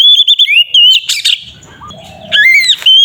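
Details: Kacer, the oriental magpie-robin, giving ngeplong song used as a provoking lure for other magpie-robins. Loud whistled notes and sliding phrases open and close the passage, with a quieter, rougher stretch and faint low noise between.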